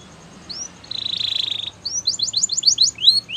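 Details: Canary song for training: a couple of rising whistles, a steady flat buzzy trill lasting nearly a second, then a quick irregular run of short falling notes.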